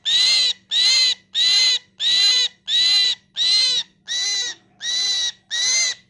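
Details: Mynah calling in a steady series of nine rasping, buzzy squawks, each roughly half a second, evenly spaced with short gaps, over a faint background hum.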